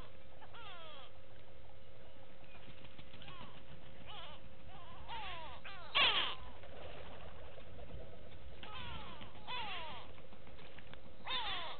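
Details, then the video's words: Wild go-away birds at Gowrie dam on Djuma Game Reserve, Sabi Sand Wildtuin, South Africa, from a live waterhole camera, 06/06/18; separated bouts of raucous, nasal, wavering calls with a sharp knock midway and steady hum beneath. "Go-away birds with audio"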